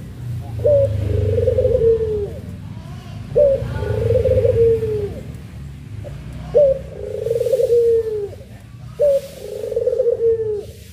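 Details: Two puter pelung doves recorded as a master for training: four drawn-out, throaty coos, each opening with a brief higher note and sagging in pitch, spaced roughly three seconds apart over a rumbling low background.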